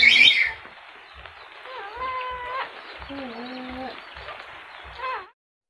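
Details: Cockatoo talking: a harsh, high screech at the start, then drawn-out, voice-like tones sliding up and down in short speech-like phrases, with soft low knocks in the background.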